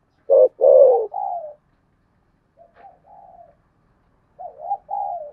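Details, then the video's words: Spotted dove, contest cooing in 'Sấm Thổ' style: one loud phrase with a long descending coo, then quieter, softer coos at a lower level, and a final pair of gentle wavering notes. "tiếng cu gáy thổ sấm/ chim cu gáy gù đấu và thúc bài bản giọng Sấm Thổ"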